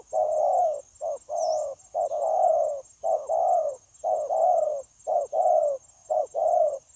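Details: Spotted dove, a freshly caught wild bird at a trapping site, recorded 9 January 2024. It gives steady cooing: a brief note then a drawn-out, wavering low coo, about one phrase per second. A constant high whine plays in the background.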